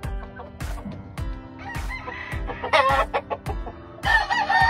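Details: Grey Kelso Albany rooster on a farm crowing in short harmonic bursts near the end, partly masked by steady rhythmic background music with regular beats.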